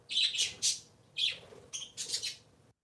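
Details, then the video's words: Three pet parakeets on a Sunday morning give harsh, high chattering chirps in three quick bursts, each about a third of a second, with short pauses between. "My Very Silly 3 little Parakeets"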